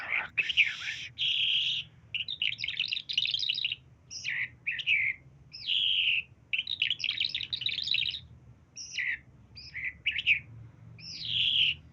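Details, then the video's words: Talking myna delivering a long series of separate chattering and whistled phrases, each a fraction of a second to a second long, separated by short silences, varied in pitch with some sharp rising whistles. "بهترین لفظ گفتن طرقه سخنگو"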